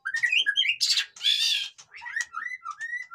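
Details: Noisy white-rumped shama song meant to spur reluctant birds to sing: fast whistled slurs open into a harsh, rasping burst, followed by scattered clear rising and falling whistles.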